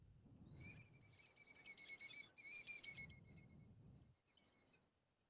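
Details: A recorded Killdeer call from an aviary, a shrill, high trill of rapid piercing notes running about four seconds and fading at the end, with a faint low rumble beneath; often more than one bird calls.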